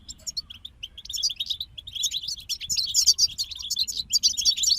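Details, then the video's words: European goldfinch group in song, starting with scattered high chirps that build into a continuous, rapid twittering stream of bright, tinkling notes and buzzy trills over a quiet low background rumble. "King of Songbirds Goldfinch Group"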